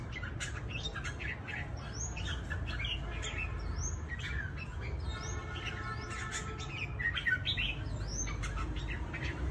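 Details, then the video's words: From Cao Bằng, Vietnam, trapped red-whiskered bulbuls kept for fighting sing lively overlapping phrases of sharp chirps and curved whistles, plus a few buzzy notes mid-recording, all over a continuous low hum. "CHÀO MÀO BẪY ĐẤU VIP CAO BẰNG"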